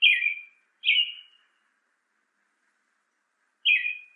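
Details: Northern cardinal song, used to teach caged birds to sing: three clear whistled notes, each sliding downward, the first two close together and the third after a pause of about two seconds.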